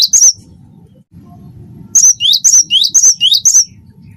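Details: Cinereous tit (wingko type) in full song, used to prompt other birds to sing: one phrase, a second of near silence, then six quick repeated high phrases, each rising sharply into a whistled note, with faint low hum.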